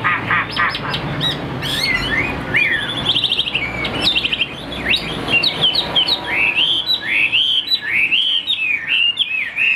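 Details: A captive Chinese hwamei delivers a long, energetic song of rising and falling whistles, quick chattering runs and ringing upslurred notes, the phrases getting louder and more fluid toward the end.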